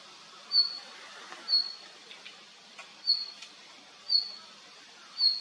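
A male red-flanked bluetail gives five thin, high whistled notes, each very short, spaced one to one and a half seconds apart, over quiet background hiss.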